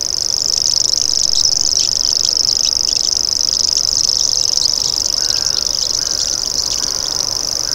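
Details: Common Grasshopper Warbler (Locustella naevia) giving a continuous, high-pitched, insect-like reeling buzz that runs unbroken through the whole stretch, with faint short chirps from other birds near the end.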